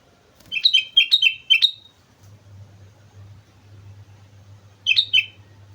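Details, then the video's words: Sooty-headed bulbul singing energetically on Mount Slamet, a quick run of four chirpy whistled phrases followed after a three-second gap by one more, against a low steady hum. "suara burung kutilang gacor gunung slamet"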